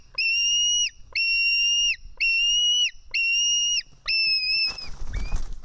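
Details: White-tailed eagle nestling begging for fish at a nest in Estonia, afternoon of 4 July 2018. Five drawn-out, level, piercing whistles end with falling tails, evenly spaced, then give way to rustling movement and one short, lower squeal.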